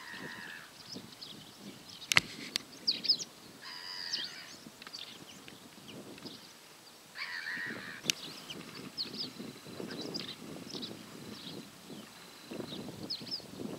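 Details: Cattle egrets (Bubulcus ibis) at Albufera Natural Park, Valencia, Spain give harsh, croaking calls in short scattered bursts over a low background rumble.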